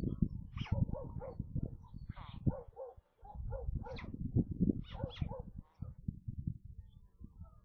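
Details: Nestling white storks, a brood of five near Kaluga in central Russia, calling during the midday feeding on 27 May; rapid series of short, nasal, yelping notes overlapping one another, over steady low rumble and thuds.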